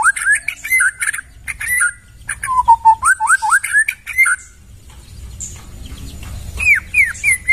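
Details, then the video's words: White-rumped shama in the forest, captured for use as tutor material: lively bursts of high chips and swooping whistles dipping low then rising, a quiet gap, then more upslurred whistled notes. "Masteran murai suara asli dari hutan"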